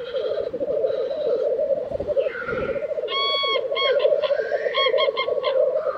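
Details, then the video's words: Black grouse at a lek in Tiveden, Sweden, in April 2023: a steady low bubbling chorus runs throughout, joined midway by a separate clear, stacked, repeated call from another bird. "Black Grouse Lek - sound recording"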